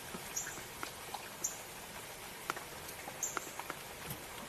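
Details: Northern Cardinal on a breezy 6 July 2024 outing gives three sharp, high, metallic chip notes spaced about a second or two apart, over faint ticking and rustling; a Red-winged Blackbird was also calling nearby.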